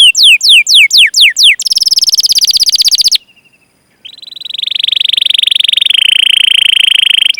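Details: Canary training song: several sweeping downward chirps, a fast buzzy trill, a short pause, then a long sustained high rolling trill.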